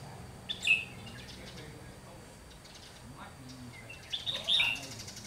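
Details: Decoy red-whiskered bulbul in training, used for trapping wild bulbuls, on 30 June 2020. It sings two brief, clear warbled bursts several seconds apart, with quiet background noise between them.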